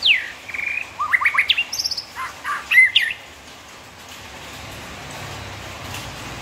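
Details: White-rumped shama delivering a burst of varied chirps, slurred whistles and quick note clusters for about three seconds, then falling quiet against faint background hiss.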